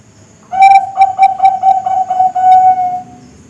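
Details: Young Bangkok-type zebra dove, a model song for luring and training: a run of about eight quick pulsed coos at an even mid pitch, ending in a longer drawn-out purring note, clean background.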